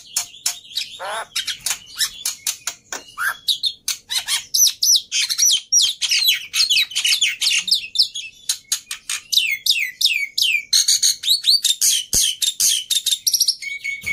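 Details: Black-winged myna in energetic song, used as a prompt for mynas that have stopped singing; long rapid sequence of sharp chirps, downward-slurred whistles and buzzy trills, about three to four notes each second.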